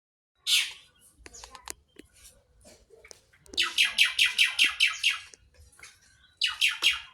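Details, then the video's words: Asian pied starling (jalak suren) giving loud, harsh, raspy notes: one opening burst, faint scratchy sounds, then a rapid run of about nine chattering calls and a final short harsh burst. "suara jalak suren"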